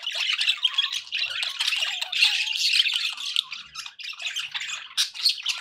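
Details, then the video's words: Budgerigars kept as pets keep up a busy, raspy warble; a few thin descending whistles slip beneath the steady scratchy chatter. "budgie sounds for pet birds"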